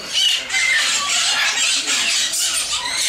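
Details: Sun conures at Bošovice zoo give a dense wash of harsh, high screeches and squawks, with a few brief whistled notes near the start.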